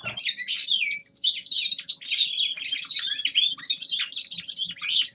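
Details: Unbroken, lively twittering from a young male common linnet during winter warm-up singing, mixing high whistles, quick trills and scratchy notes without a pause.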